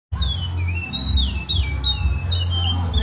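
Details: Lined seedeater singing the traditional Maceió style of song: a run of clear whistled notes, each sliding down in pitch, strung together without pause, over a steady low hum.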